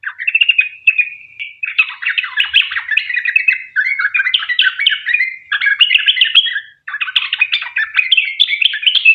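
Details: Yellow-vented bulbul in lively song used as a lure to prompt other bulbuls to sing, a long rapid 'ropel' style; dense bubbly chattering phrases of warbled notes run almost without pause, with one brief break near the end.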